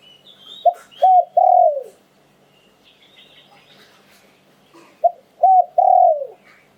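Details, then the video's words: Spotted dove singing in the Thai lu'tan and karam styles, two loud phrases of two short coos then a longer falling coo, separated by about three seconds of quiet with faint background chirps. "หลิ่วตัน คารม นกมงคล เสียงนกเขาใหญ่"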